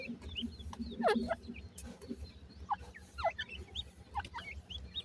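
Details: Indian grey francolin chicks calling: thin, high hooked peeps scattered through the clip, some rising and some falling, over a low steady hum and soft clicking noises.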